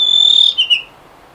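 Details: A male blue rock thrush sings in the late afternoon while hunting a worm near a female: one clear, sustained high whistle, then two quick, slightly lower fluty notes, against a quiet background.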